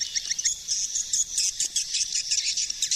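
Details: Swiftlet 2020 calling sound (suara panggil): a few quick clicks open into a continuous high, buzzy trill that wavers steadily to the end.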